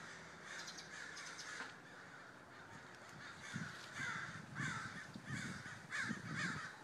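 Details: A gathering of many crows: harsh, distant caws grow more frequent in the second half and repeat roughly every half second, over a steady background hiss.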